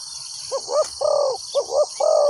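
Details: Spotted dove used as a decoy to lure wild doves into a trap: low cooing phrases around 500-700, short double-looped coos alternating with longer drawn-out coos, against a steady high hiss of insects or background noise.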